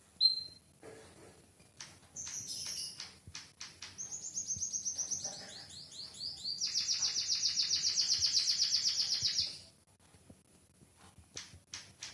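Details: White-headed munia with a canary-like song: scattered high chirps and clicks, then rapid high trills, ending in a long dense buzzy trill of about three seconds before quieter clicks.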